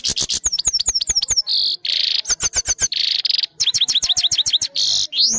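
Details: European goldfinch, a trained captive singer recorded by phone, pours out rapid liquid twitters and repeated high downslurred whistles, broken by several drawn-out buzzy notes, finishing on a rising slurred whistle.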